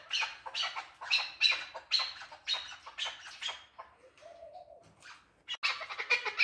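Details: Male chukar partridge giving repeated grating chuck notes about twice a second, broken by a short lull with a faint low whine before loud rasping notes return.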